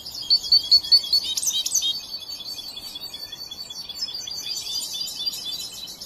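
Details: A young European goldfinch, trained but not yet finished learning, opens with four clear ringing piped notes, then breaks into quick, high, liquid twittering and buzzy chatter that runs on steadily.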